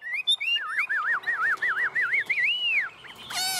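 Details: Tame Chinese hwamei singing vigorously in the 'ôm cóng' style while perched on a hand: a run of looping, wavy whistled notes repeated several times per second, ending in a long arched whistle and a sharp burst.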